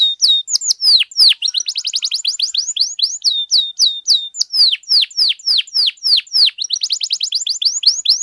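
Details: Canary in vigorous, continuous song meant to tutor and provoke other canaries: varied rolling phrases of quick down-sweeping whistles, buzzy trills and rapid repeated chips, changing pattern every second or so without pause.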